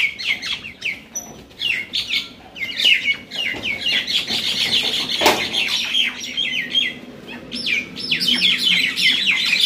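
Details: Fighting common mynas, known locally as shalik, at Talepur, Kalatia, Keraniganj, Dhaka, Bangladesh; continuous grating chatter, sharp downward squawks and clicks overlapping from several birds, with one brief thud midway.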